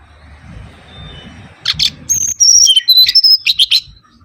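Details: Mangrove whistler song used as a lure recording: a few rough buzzy chips, then a run of clear high whistled notes, some level and some sliding down. Low background rumble at the start.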